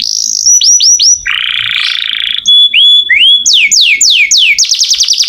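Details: Lively canary song used to train oriental magpie-robins: clipped whistled notes, a broad buzzy passage, rising upswept whistles, then loud descending sweeps ending in a fast trill.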